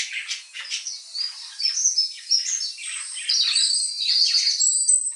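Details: Pet budgerigars reacting to unfamiliar birdsong: dense, high, scratchy warbling chatter with quick chirps, brightening into sustained whistled tones in the second half.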